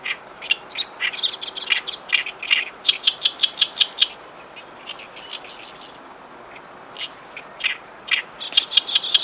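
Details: Oriental reed warbler (Acrocephalus orientalis) singing on the Yodo River floodplain on 23 May 2019: loud, harsh, grating phrases of chattering notes with brief pauses.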